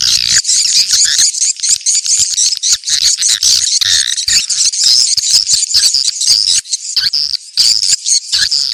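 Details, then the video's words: Swiftlets calling in a 'ceklok' lure track, said to gather swiftlets fast at a prospective nest house. A thick wall of high, buzzy chirps and clicking twitters runs steadily throughout with brief dips. "Suara ceklok burung walet terbaik"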